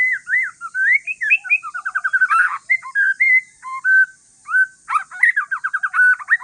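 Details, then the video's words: Relaxed song of a white-rumped shama from Aceh forest lineage, used to prompt other shamas to answer: rich whistles mixed with rapid trilled runs of downslurred notes, phrases repeated with brief gaps. "Kicauan santai murai trah hutan aceh BUAT MURAI LAIN NYAUT"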